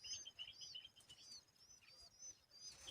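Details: Short, sharp twittering chirps from an Asian babbler protecting its babies from bugs, several notes per second in quick overlapping runs.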